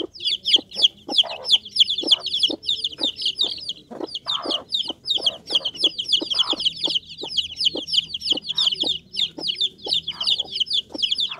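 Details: Several Bangkok chicken chicks, a super-quality breed, peep constantly in a dense chorus of high, short, slightly downslurred chirps overlapping without pause, mixed with sharp dry tapping clicks roughly every half second.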